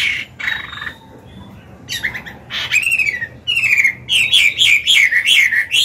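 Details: Old wild-caught Chinese hwamei kept as a cage bird, singing to train young birds: quiet opening notes, then loud clear whistles and a rapid series of up-and-down slurred notes.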